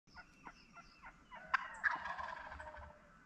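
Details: Wild turkeys in the woods during a hunt: a very vocal hen about 15 yards away gives soft repeated yelps, and a big gobbler behind her answers with a rattling gobble. Faint, with low background rustle.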